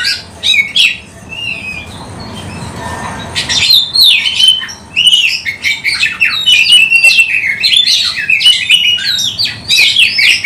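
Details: Oriental magpie-robin, caged singer with tail spread, played to lure other birds: opens with a few sharp notes and a short pause, then a long burst of rapid harsh chatter mixed with whistled phrases.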